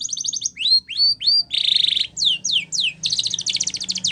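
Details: Spanish Timbrado canary song for training: a quick metallic trill, a few rising whistled slurs, a loud buzzy rattle, descending sweeps, then a long rapid rolling trill.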